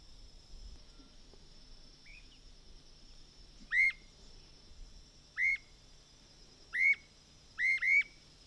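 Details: Streamer-tailed tyrant (Gubernetes yetapa), recorded 29 November 2008, calling with loud, sharp, hooked whistled notes, singly and then a quick double, spaced a second or two apart, over a steady high insect buzz.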